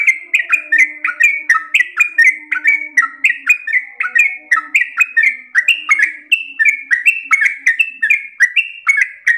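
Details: Long, fast ropel panjang from a gacor trucukan (Yellow-vented bulbul): dense, rapid bubbling whistles running without pause, each note slurring down then up, with a faint low drone.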